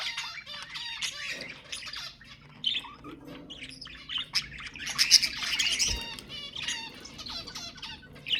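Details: Budgerigars singing to stimulate mating, a busy flock chorus of raspy chatter, fast trills and brief whistled notes overlapping without pause.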